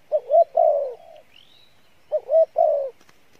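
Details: Spotted dove of the field type cooing in 'Bai Loi' style: two phrases, each a quick rising double note leading into a long falling hoarse coo. A faint rising whistle is heard between them.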